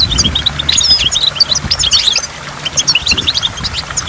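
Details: Goldfinch at a waterfall with water drops: a bright, busy twittering song of quick high notes, densest in the first half, then lighter chirps continuing.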